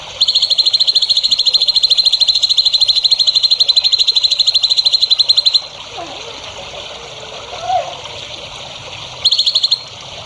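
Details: Songbird singing in a training recording meant for young champion birds: a very long, rapid, mechanical-sounding high trill of over five seconds, a pause with a faint low sound, then the trill returns briefly.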